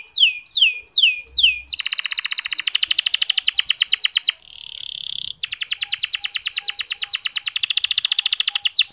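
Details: Soft clear canary song used as a prompt to get less eager male canaries singing: a few looping downslurred whistles followed by long, fast rolling trills interrupted by a short harsh buzzy note.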